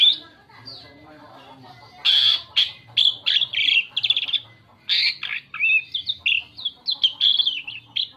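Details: Asian pied starling singing a varied lure song for attracting other birds: after a quiet start, a busy stream of harsh rasps, clicks and short whistled notes, some rising and falling.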